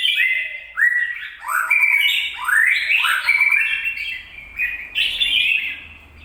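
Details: Red-whiskered bulbul recorded 26 April 2022, giving clear rising whistled slurs in a repeated sequence, each note sweeping upward, over a faint low rumble in the background.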